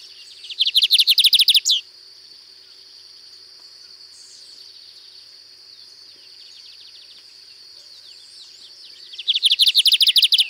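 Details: Lined seedeater singing a 'canto diferenciado' song style at Sítio Paraitinga, Cunha: two loud bursts of rapid, evenly repeated buzzy notes, each about a second long and about eight seconds apart, over a steady high insect drone.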